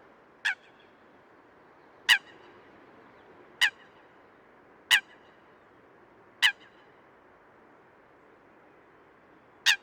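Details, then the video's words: Eurasian coot (Fulica atra) recorded in the wild: six short, sharp, explosive calls with a harsh, metallic edge, spaced roughly every one and a half seconds over a faint steady background hiss. "Eurasian Coot – Bird Calls & Sounds"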